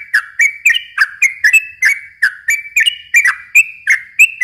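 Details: Yellow-vented bulbul singing a fast, continuous chatter used to draw in young birds: quick slurred whistles alternating slightly higher and lower, spaced about a third of a second apart, with bright clicking overtones.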